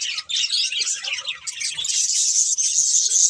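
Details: Rapid budgie twittering with about four chirps a second, turning into a thinner, higher, continuous chatter toward the end.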